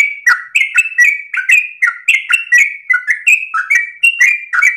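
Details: Dawn song of a sooty-headed bulbul in long 'ropel' style, a rapid chain of clear whistled phrases, each note dropping sharply then leveling, steady and unbroken with no other sounds.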